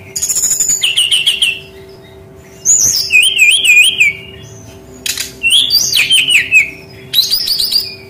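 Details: Lure song of a brown-chested jungle flycatcher, played to young forest-caught birds that sing little: three bursts of rippling, looping whistles, each dropping from a high note to a wavering lower trill, over a faint constant hum.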